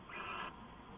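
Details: Owl calling at night, recorded on 2 September 2014 just before midnight: one short hissing, rasping screech lasting under half a second, with faint steady background hum.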